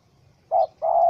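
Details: Wild spotted dove angry in a small-rope trap, 04/07/2017: two mid-pitched coos, the first short and the second longer and level, ending in an abrupt click.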